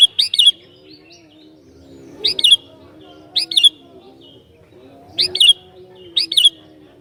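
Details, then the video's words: Sooty-headed bulbul singing to provoke other bulbuls: five clear bubbly phrases at intervals of about one to three seconds, with a soft low hum underneath. "Burung Kutilang Gacor Ini Sangat JAGO Mancing Kutilang LAIN"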